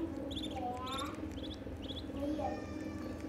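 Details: Ducklings peeping: thin, high, rapidly repeated chirps in short bursts, with a few lower, drawn-out whistled notes that rise and bend, over a steady low hum.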